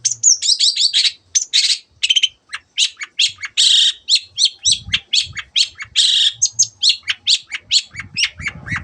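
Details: Long-tailed Shrike (cendet) singing an active, varied song meant to set other birds singing: a dense stream of rapid high chips, trills and scratchy buzzes with hardly a pause, plus faint low thumps.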